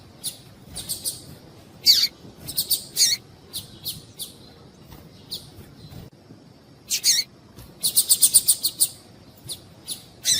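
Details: High, clipped chirps from a female double-collared seedeater, used to encourage males to sing, coming in irregular clusters and a fast run of about eight notes near the end, with light background hiss.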